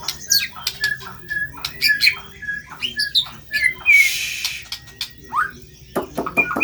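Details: White-rumped shama singing a rough, varied song: sharp chirps, rising and falling whistled notes and buzzy bursts in quick irregular bursts, with a short noisy rasp midway.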